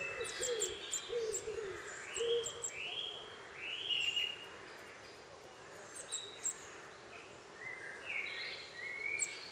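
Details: Nuthatch feeding a chick in Cornwall, filmed on 23 May 2010: short rising whistled notes sliding upward in loose series, a few low warbled notes at the start, and scattered sharp high chirps from other birds throughout.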